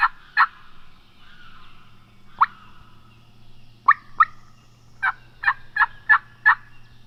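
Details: Osceola wild turkey at dawn in Florida, 2020 season, a roosted gobbler in cypress near hunters; scattered raspy notes at first, then a quickening run of five sharp bursts toward the end, over quiet background hum.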